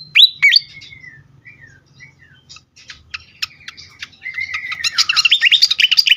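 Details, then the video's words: Fantail singing agitatedly, meant for luring and stimulating birds: a loud high squeak, slurred descending whistles and spaced ticks, ending in an intense rapid stream of high chirps. "sikatan kipas ngamuk"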